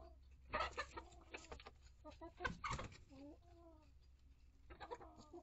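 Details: Hens in a backyard coop and run, a mix of Rhode Island Red, Barred Plymouth Rock, Light Brahma and young chicks of several breeds, giving short stacked clucks and a drawn-out warbling cackle, with scratching and thumps in the coop.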